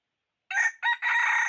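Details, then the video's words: Red junglefowl rooster kept as a decoy to attract wild birds, 2021; a full crow in three harsh, hoarse syllables, the last one long and steady, with no other sounds. "Cuab qaib 2021 tuaj zoo ไก่ต่อมานต่อเข้าดี"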